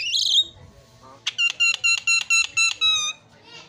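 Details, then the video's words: Javan myna song used as a lure to get a silent caged myna singing: a burst of high chatter, then a rapid run of about eight loud, even, harmonic whistled notes, each strongly stacked, ending in a brief buzz. "JALAK KEBO PALING KREN KICAUANNYA"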